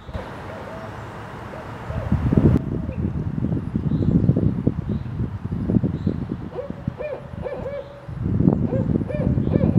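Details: A female Barred Owl in a Danville, Illinois neighbourhood, 28 March 2023 (possibly the 27 February mating calls), gives low, wavering hoots in two short bursts, partly buried under heavy wind rumble and thumping noise.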